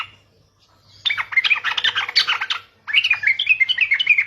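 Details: Sooty-headed bulbul song played as a lure to make other bulbuls respond: a dense, bubbling run of quick liquid whistled notes, a short break, then a second lilting, rolling phrase, with a low hum beneath.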